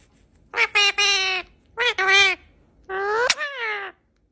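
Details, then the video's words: Pet parrot saying "I love you": three clear, voice-like phrases with rich harmonic tone, each about half a second to one second long, separated by short pauses; a quiet background. "Cute Parrot is Saying I Love You"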